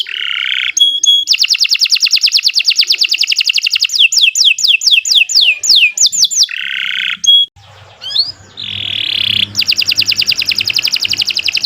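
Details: Canary singing at length as a master recording for training other birds and triggering silent ones to sing. Long rolling trills alternate with falling whistled sweeps, a short break, a rising slur and a buzzy note, then another extended trill.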